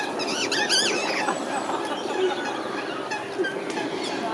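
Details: Cheeky parakeets begging for food, taking nuts from the hand and landing on a person's head, give harsh, squeaky chattering calls in quick bursts, loudest in the first second, over a steady background hum with faint voices.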